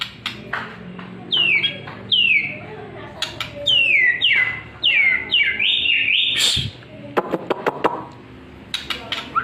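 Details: Murai batu, the White-rumped shama, in a morning-and-evening lure song: a run of down-slurred whistles repeated about every half second, with sharp clicks before and after.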